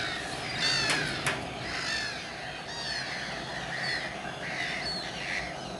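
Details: Common terns at RSPB Saltholme on 17 July 2012, captured with a Canon 7D: scratchy downslurred calls from several birds overlapping, with two sharp clicks early on and a constant noisy background.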